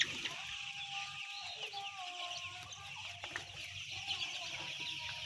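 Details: Some ten thousand white chicks: a dense, continuous wall of high, thin peeping from countless birds at once, with a few lower tonal calls standing out faintly now and then.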